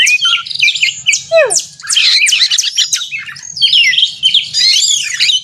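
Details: Oriental magpie-robin (kacer) fighting song used as a lure to excite other kacer; crowded high warbling, harsh rasps and one clear descending slur, in nearly continuous phrases.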